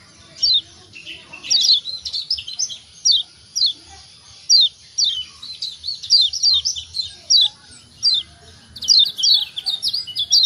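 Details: Lombok yellow white-eye, kept for song training, used as a lure to make quiet birds start singing. Rapid high chirps, each sliding sharply downward, arrive in short bursts of two to four notes through the whole stretch, with quiet gaps between bursts.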